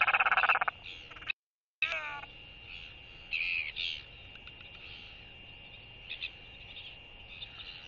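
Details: At its nest colony, incubating male royal albatross GLY gives a skycall greeting to a visiting returned female: a loud, harsh, braying burst, then a break and a few softer, croaking calls over a steady background hiss.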